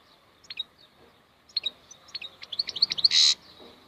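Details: Wild European goldfinch song: scattered high chirps build into a quickening twitter that ends in a harsh, nasal buzz, with soft background noise.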